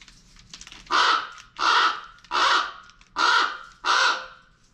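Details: Full-volume squawking from a pet female common raven at close range indoors: five loud, raspy, evenly spaced squawks, roughly every three-quarters of a second, over faint room noise.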